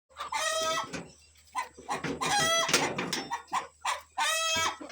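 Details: Rooster and his family of hens let out in the morning to forage, the rooster excited and warning the flock to hide from kites flying overhead; loud harmonic squawking and clucking calls in overlapping bursts, with a low background hum.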